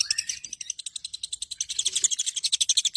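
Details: Long-tailed shrike song, a rapid buzzy chatter of harsh notes repeated about four times a second, rising slightly at the start and running continuously.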